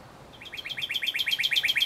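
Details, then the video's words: A male Northern Cardinal gives a rapid run of clear, downslurred whistles, about nine a second, growing steadily louder, with no other sounds standing out. "Cardinal Sounds"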